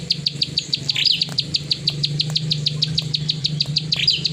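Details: Plain prinia singing its rapid 'klik' song: a fast run of crisp high clicks, about three per second, broken now and then by short slurred buzzy notes, with a constant low hum behind.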